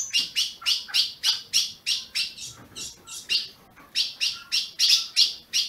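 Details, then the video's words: A captive-bred Ultramarine grosbeak in Brazil calls with a fast run of sharp, high chirps, about three every second, with a brief pause midway before the series resumes. "Azulão piando"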